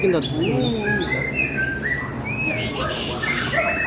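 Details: A captive White-rumped Shama (murai batu) with a 21-inch tail, just finished moulting and lacking sun, sings clear, sweeping whistles rising and falling in short phrases, a repertoire its owner calls limited and not sharp; crowd murmur and other birds faintly behind.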